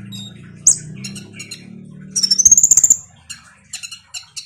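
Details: Singing Van Hasselt's sunbird (kolibri ninja), used to coax a quiet bird into song: a high squeak, then a thin whistle sliding upward into a rapid chattering trill, followed by scattered sharp chips, with a low hum at first.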